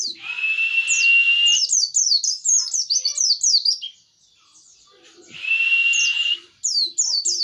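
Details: Busy high chirping of a white-eye, sharp falling notes over a steady whistled tone, pausing and then resuming.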